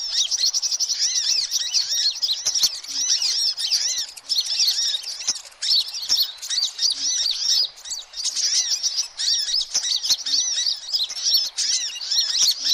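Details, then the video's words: Crowded sunbird chatter used to attract all kinds of sunbirds; long run of shrill, overlapping chirps and trills from many birds, with a few short pauses and faint clicks. "suara kolibri ribut"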